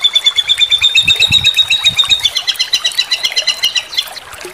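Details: White-rumped shama tutor song for training competition birds, in 'sambung susun' style with 'kasaran' notes: a sustained fast trill of high, bright notes, about four per second, with a rougher chattering texture toward the end.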